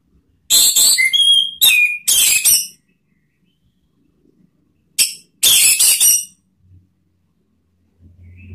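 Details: Lure song from an orange-headed thrush, ngeplong style, aimed at prompting other birds: short harsh buzzy phrases with a couple of falling whistles, a long gap, then two more rasping bursts.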